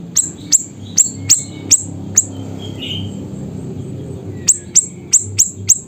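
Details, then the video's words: Siri-siri in Busu Reului, Pidie, Aceh, giving loud sharp high chips, about eleven, in two bursts separated by a quiet gap with a soft fluttery note, over low background hum. "Burung Siri Siri Nembak Suara Gacor"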